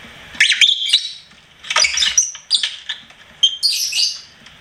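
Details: Pet lovebird singing in short bursts: four groups of high, harsh chirps and squeaky whistles, each about half a second to a second long, split by quiet gaps.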